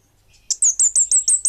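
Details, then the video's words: Orange-headed thrush, 'bunga api' type, in lively song: after a soft lead-in, seven piercing high notes follow at a steady quick pace, each a short downward-curving whistle. "Suara Burung Kemade Bunga Api Gacor!!!"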